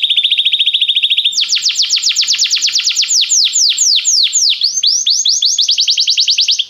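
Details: Belgian canary song: a steady rapid rolling trill shifts into a long run of loud descending whistled sweeps, repeated several times a second, rich and continuous.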